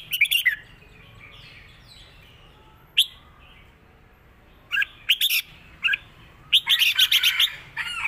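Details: Cage-kept Red-whiskered bulbul singing the southern-style "rik" song: scattered bright phrases broken by long pauses, with an opening warble, isolated chirps and a fast rippling trill near the end, over a low hum.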